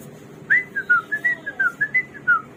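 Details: Hwamei, called samyong or garuwa and described as a bird of 1001 voices, repeating pure, clear whistled notes, each short and slightly slurred, about four per second in an even steady run.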